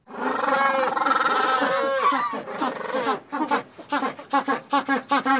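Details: A group of Magellanic penguins brays: a long, nasal, donkey-like note, then a run of short, hoarse pulses about two or three a second, with several birds overlapping.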